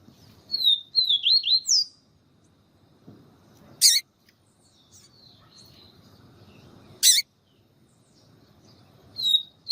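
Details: Papa-capim, the yellow-bellied seedeater, singing siu siu style while a female calls to warm up the male: a burst of high, bending whistled notes early on, later faint thin notes, broken by two loud sharp clicks.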